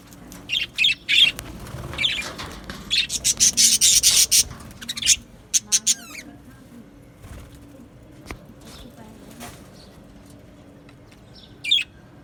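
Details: Aviary budgerigars from a colony, 12 July 2025, make scattered bursts of sharp high chirps and short chattering phrases over the first six seconds, then near quiet with a low hum and one final chirp.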